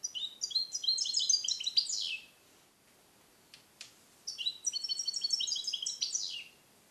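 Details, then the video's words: Captive European goldfinch born 2021, song-trained with Neapolitan passages and isolated in a small cage for recording; two bursts of fast, bright twittering song separated by a pause with faint clicks. "Cardellino Passata Napoletana 2021 - KH24 - European Goldfinch - Jilguero cate limpio"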